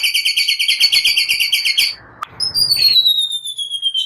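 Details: White-rumped shama singing to provoke other birds, its song said to hold cililin and prenjak phrases: a rapid pulsing trill, a brief sharp click, then a long thin whistle slowly sliding downward.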